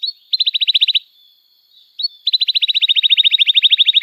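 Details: Canary song used as a lure to teach young canaries to sing and to restart stalled singers, long and energetic 'cuit cuit' style: two bursts of rapid high chirp trills separated by a pause with a faint steady whistle.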